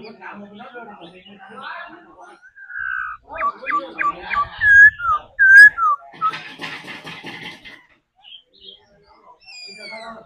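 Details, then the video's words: Trained laughingthrush singing: short clipped whistles and slurred notes in a lively run, with a burst of harsher buzzy sound in the middle and faint background noise. "Khứu hót múa đẳng cấp. Luyện chim hót múa mỗi ngày"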